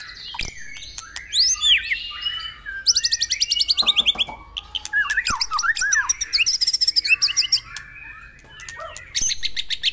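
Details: White-rumped shama song used to stimulate caged birds: rich mix of upward-curving whistles, dense buzzy trills and rapid repeated notes, bursts separated by brief gaps, a single loud bird dominating.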